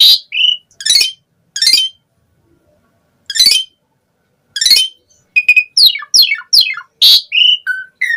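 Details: Harsh rasping bursts spaced by silences give way to a fast series of falling whistled slurs from an Asian pied starling singing full-isian gacor song.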